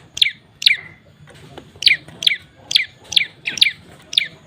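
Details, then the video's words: A moss prinia (prenjak lumut) gives agitated, aggressive bursts of sharp, high chirps, each quick and bright, about twice a second at an uneven pace over faint hiss. The call is used as an effective lure. "PRENJAK LUMUT NEMBAK NGAMUK NGEBREM || THE SOUND OF BIRD OF MOSS"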